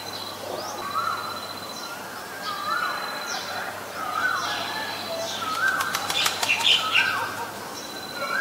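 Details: Asian koel, male and female. Upslurred whistled notes repeat steadily over several seconds with short gaps. A brief scatter of sharp clicks and higher chirps cuts in midway.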